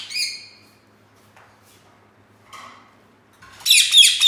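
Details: A caged pet rose-ringed (green ringneck) parakeet gives harsh, high screeches: one opening squawk, a softer call midway, then a loud rasping burst of repeated shrieks at the end.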